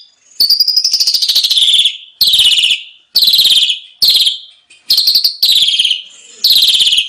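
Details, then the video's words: Asian pied starling song meant to train caged birds, full of rich fillers: a long series of loud, grating, buzzy phrases, each about half a second to 1.5 seconds, falling slightly in pitch, separated by brief pauses. "masteran jalak suren 1 menit langsung ikut bunyi ful isian mewah"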